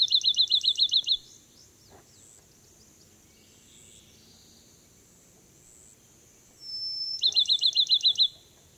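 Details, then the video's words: Bachman's sparrow in Francis Marion National Forest, Charleston County, South Carolina, 25 June 2016, sings a sweet, high whistle then a quick, even trill of about nine notes, faint high insect or bird notes behind. "Bachman's Sparrow Singing"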